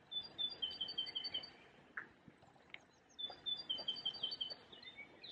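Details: Great tit singing in spring, April 2020, at a cemetery in Munich, Germany: bright, high two-note phrases repeated rapidly in two bursts with a short pause between, over faint background rustle and scattered clicks.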